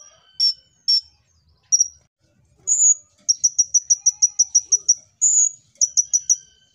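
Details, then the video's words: Lure song of a kolibri ninja (olive-backed sunbird) to get other birds singing: a few sharp scattered notes, a drawn-out whistle, then a fast even trill of about a dozen ticking high notes, repeated briefly. "Pancingan Ampuh‼️Kolibri Ninja Gacor Untuk Burung Bahan Ombyokan"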